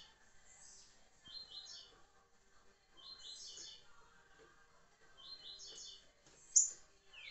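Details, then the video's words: Green-winged saltator (trinca-ferro) in liso curricutil style, softer and more distant: three evenly spaced phrases of quick high stacked notes, each about a second long, then a loud click and a falling slur near the end. "trinca-ferro liso curricutil"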